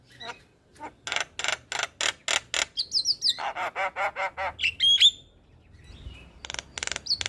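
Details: A lively Javan myna gives morning song for training and luring: a long run of harsh, rasping staccato notes about three per second, broken by a squeaky whistle, then further rough bursts.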